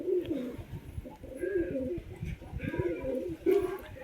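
Pigeons give low, throaty, rolling coos that repeat in soft bursts.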